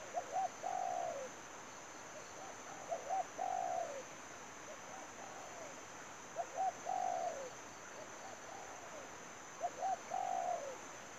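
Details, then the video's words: Spotted dove used as a lure bird for trapping; cooing phrases of two short notes followed by a longer falling coo, repeated about every three seconds, over steady background hiss. "bẫy chim cu gáy"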